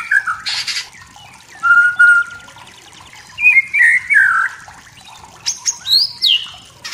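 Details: Wild forest white-rumped shama singing to provoke rivals, giving separated phrases of clear whistles, a sliding warbled run and high sharp upslurred notes, with short pauses between bursts and a few harsh buzzy bursts.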